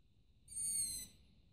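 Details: Single begging call from a long-eared owl chick sitting on a roof at night: a rasping, high-pitched squeal of about half a second, sliding slightly downward, over a soft low background hum.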